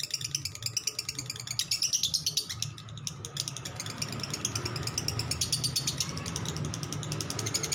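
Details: Lovebird long 'ngekek' trilling: rapid high buzzy notes running on and off over a steady low rumble of background noise.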